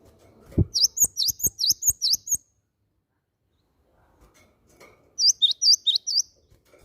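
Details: Cinereous tit calling, used as a lure to set other birds singing: two rapid runs of seven or eight high, thin, V-shaped chirps separated by a few seconds of silence, with soft knocking early on.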